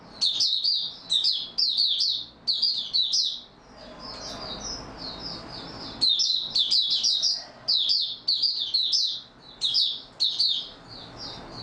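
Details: Oriental white-eye, called mata puteh, in steady open song recorded 28 February 2022. Dense high twittering phrases arrive in quick succession, break for about two seconds of quiet, then resume in a fast chattering run.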